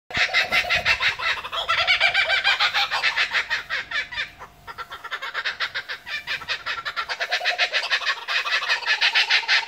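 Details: Two wild kookaburras laugh together in a loud, rapid chorus of harsh, cackling notes that rise and fall.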